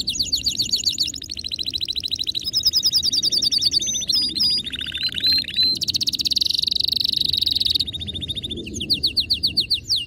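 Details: Male canary in excited song runs through successive tours of fast repeated notes: clipped chirps, a lower buzzy section, a bright high roll, then quick upswept notes, over steady low background noise.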